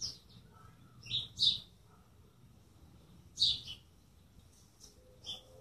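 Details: Birds chirping: short bright high chirps in small clusters, a pair near one and a half seconds and another near three and a half, with faint thin notes between and a low hum beneath.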